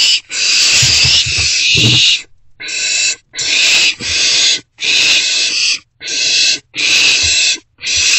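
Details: Owlet in an owl box after midnight on 27 March 2024, eating a vole brought by a parent; harsh, broad hissing screeches, one long burst then shorter ones about every 0.8 seconds, with soft thumps in the box.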